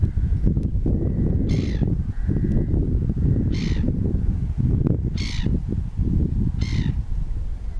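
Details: Spoonbill feeding at low tide on the Isle of Wight: several short harsh nasal calls spaced a second or two apart, with a few faint thin whistles from other birds over steady low rumbling wind or surf noise.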